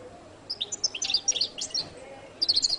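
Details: Jilguero latino song from a goldfinch: rapid, very high tinkling notes tumbling together, followed by a short repeated series of four or five clear chirps.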